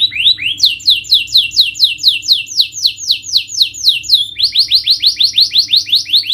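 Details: Canary song played to motivate a bird that will not sing: long runs of fast repeated sweeping chirps, briefly broken by a short buzzy note, then resuming at a quicker pace.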